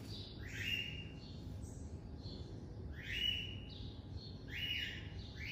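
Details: Captive-bred Double-collared seedeater (coleiro), classic song style: thin high notes sliding down into a steady whistled tone, the phrase repeated about every two seconds over a constant low rumble.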